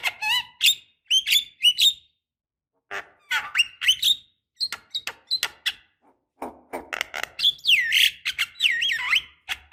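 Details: Female Javan myna calling a male, played as a lure: a varied, almost continuous stream of squeaks, rasping bursts and bending whistles, ending in looping upward and downward whistled slurs.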